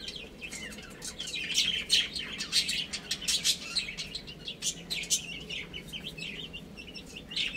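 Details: Young chicken chicks chirp almost continuously while playing and eating, a busy chorus of short high peeps, several overlapping, with light tapping noises in the background.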